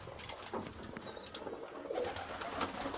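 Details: A crowd of pigeons gives a busy, overlapping low cooing hum, with one faint high chirp and occasional soft clicks.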